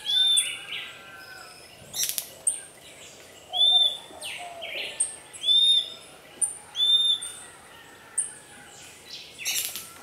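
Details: Puerto Rican flycatcher in Puerto Rico attacking a pearly-eyed thrasher near its nest, uttering a steady series of short, high, ringing whistles about once a second, mixed with sharp snaps and flapping from the fight.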